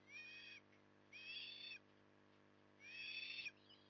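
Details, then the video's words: On an October 2020 evening at Port Lincoln, Australia, an osprey being fed repeats a buzzy, whistled wheeze about every one and a half seconds. Each note lasts around half a second and holds a fairly level pitch. "Port Lincoln Australia Osprey ~ Evening Stuffing"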